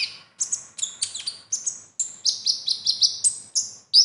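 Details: Konin (kolibri ninja) singing a medley of other birds' material learned for contests: quick, very high chirps and slurred whistles in an unbroken, lively sequence, ending with a sharp bright note.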